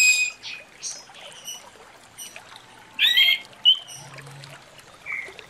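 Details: Orange-headed thrush (Geokichla citrina) singing in the morning: short, varied whistled and chattering phrases, high and bright, in bursts with brief pauses between; a faint low hum underneath.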